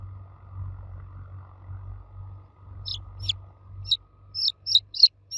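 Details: Baby chicks cheeping for the mother hen. A low hum fills the first three seconds, then loud, piercing high peeps follow in quick succession, each a brief falling note.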